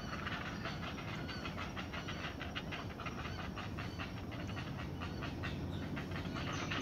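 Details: Not-so-small great blue heron nestlings anticipating a parent bringing food give a run of quick, evenly spaced clacking pulses, several each second, under constant broadband hiss.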